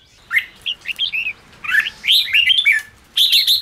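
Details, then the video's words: Red-whiskered bulbul singing 'ché' to rouse wild-caught caged bulbuls: short bright whistled phrases of rising and falling notes in three bursts, the last a fast bubbling run, with quiet pauses between. "Kích chào mào yếu lửa/Kích chào mào bổi nhanh ra âm/kích bổi sổ bọng/chào mào ché kích bổi căng lửa"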